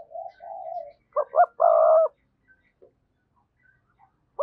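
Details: Decoy spotted dove with a strong voice: two softer drawn-out coos, then a phrase of two quick notes and a long steady coo, followed by faint scattered notes and a final short coo.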